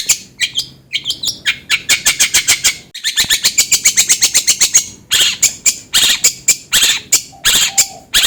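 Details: Long-tailed shrike song used to get another bird singing quickly: fast runs of harsh, rasping notes in rhythmic chains, a few high chirps at the start and a faint low whistle late on.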